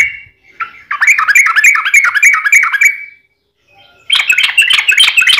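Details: Caged sooty-headed bulbul in lively song, used to make kept birds sing: about two seconds of rapid chattering notes, a short silence, then a harsher, busier burst.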